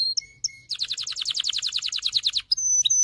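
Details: Excited canary song for stimulating males and readying females to mate: a few sharp chips, then a rapid even trill of bright notes, ending in high thin whistles.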